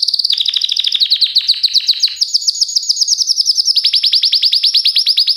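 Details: Continuous canary song of quick rolling trills, the pulses sliding downward, then a higher bright trill carries on steadily to the end.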